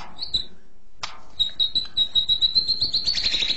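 White-rumped shama gives a clear high whistle, then, after a brief break, a fast run of sharp, ringing notes at about seven per second, steady in pitch.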